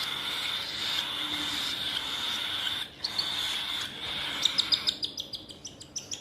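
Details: A baby cockatiel being hand-fed at home gives a steady, raspy, high buzzing, then breaks into quick, rhythmic rasping pulses, several per second.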